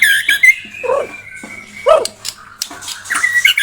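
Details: White-rumped shama, described as blorok, sings a long sustained whistle, then harsh lower squawks and quick bright trilled phrases.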